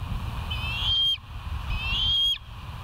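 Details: Bald eagles at the West End nest, filmed by a live nature cam on 17 September 2023 at 06:50: two high, thin whistled calls with piping overtones, each sliding briefly and ending abruptly, about a second apart, over low steady rumble.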